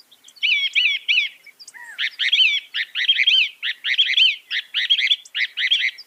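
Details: A northern mockingbird mimicking other birds, said to manage around 200 sounds, repeats a quick wavering warbled phrase over and over in a steady, lively run, as masteran tutor song.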